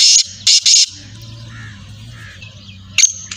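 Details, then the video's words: Black francolin call, three loud, rasping, broadband notes in quick succession, then a low humming pause and two further harsh notes at the close. "Kale tetar ke awaz . کالی تیتر کی آواز .Black francolin Sound"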